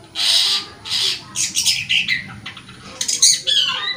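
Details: Long-tailed shrike song used as a lure for non-singing caged birds: two long harsh rasping notes, then a fast mix of chattering, squeaky and slurred whistled notes.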